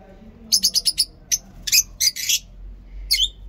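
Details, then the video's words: Lovebirds in a mini zoo in the morning giving short bursts of sharp, high chirps, a quick run of five clipped notes followed by scattered harsher squeaks, over quiet low background hum. "Lovebirds Sound in mini zoo"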